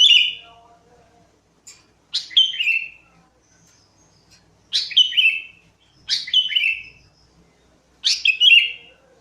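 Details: Sooty-headed bulbul song used as a lure: loud, bubbly phrases that drop in pitch, given about every two to three seconds in five bursts, with a faint lower warble after the first; otherwise quiet.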